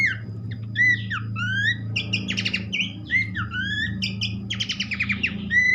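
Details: Horsfield's babbler singing as a lure for other babblers: varied rising and falling whistles interspersed with fast buzzy trills, over a noticeable low droning hum throughout.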